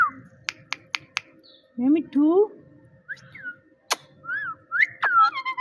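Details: Talking parrot indoors: a row of sharp clicks, then two low, rising, nasal meow-like syllables, followed by short whistled arcs and a final rising-falling whistle.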